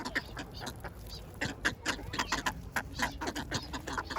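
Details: Duck calls while being fed bread: clipped, nasal quacks in quick uneven bursts, some louder notes standing out above a busy chatter of overlapping calls and a low rumble.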